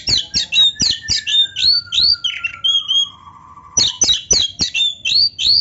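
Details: Kacer, the Oriental magpie-robin, in vigorous full fill-in song: a fast run of sharp, bright upward whistles, then one long, slowly falling whistle glide, before the rapid whistled bursts resume.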